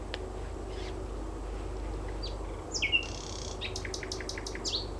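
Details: At Gatwick Airport near the River Mole, a nightingale sings at about 23:30 in early May: sparse whistles, a loud downslurred note, then a rapid stuttering series of high clicks, with continuous low-frequency rumble behind.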